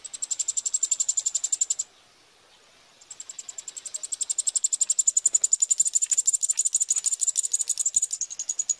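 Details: Eurasian wryneck chicks begging as they are fed, Pribytki, Russia, 2 July 2018: dense high-pitched rattling pulses, a one-second gap, then a louder, faster resumed chorus.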